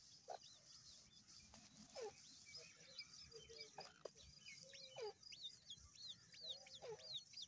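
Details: Grey francolin chicks giving thin, high peeping calls, short rising and falling chirps scattered irregularly through a faint background with a low hum.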